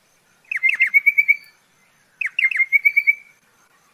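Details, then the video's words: Pardalote gives two similar phrases: a few sharp falling notes leading into a rapid, evenly spaced series of bright chirps, about a second each, with silence between. "BEST PARDALOTE SOUND COMPILATION"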